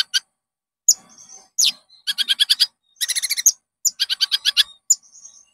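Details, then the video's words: Konin lure song for training caged birds: thin high whistles and downward slurs, then rapid rattled series of sharp chip notes repeated in short bursts. "SUARA BURUNG -PANCINGAN KONIN AMPUH JERNIH"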